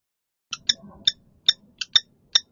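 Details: Male Common kestrel at a candidate nest at an apartment building, on a snowy March afternoon, giving sharp, high, clipped notes, about seven in two seconds at an uneven pace, to claim the nest and court a nearby female; faint low murmur underneath.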